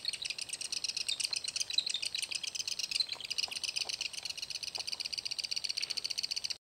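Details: Black-backed Woodpecker at its nest site on Spaulding Bay Road, Grand Teton National Park, June 19, 2012: a steady, high, buzzy chatter of rapid pulses running unbroken throughout, with a few faint lower ticks underneath.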